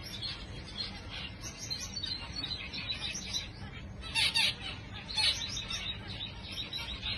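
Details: Busy chorus of zebra finches: high, buzzy, nasal calls overlapping constantly, with a few louder honking notes near the middle and end over a low background hum.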